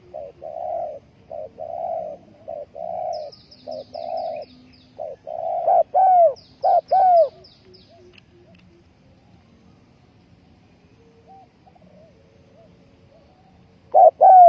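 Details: Spotted dove decoy bird for trapping, 20 April 2020, delivering a run of soft repeated coos, then louder two-part phrases with a falling second note; thin high chirps from other birds briefly overhead, long quiet stretch.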